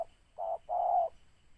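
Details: Low, soft cooing of a spotted dove at a trapping site, a brief note then a drawn-out level coo, with a quiet background.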